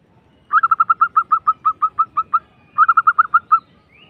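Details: Local zebra dove used as a lure to draw an instant response from other doves, with a rolling ngerrol voice: two bursts of quick, even cooing notes, about a dozen then six, on a steady mid pitch, ending in brief silence.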